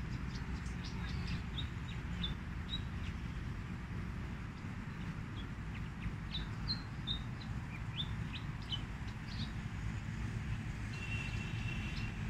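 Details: A fantail sings in a recording meant as a bird-trapping lure. Sharp whistled notes come in loose runs, and a brief buzzy high note near the end, all above a heavy, steady mechanical drone.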